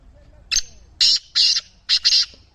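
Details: Captive black francolin (kala teetar) of the speeder, chakri wala style, described as calling nine times a minute; one harsh, grating phrase of four rasping, buzzy bursts, the last two close together, with a quiet background.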